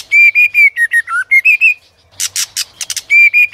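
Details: Competitive song of a white-rumped shama roused by a female: loud pure whistles in quick series, sliding lower, a brief gap, a volley of harsh rasping notes, then more ringing whistles.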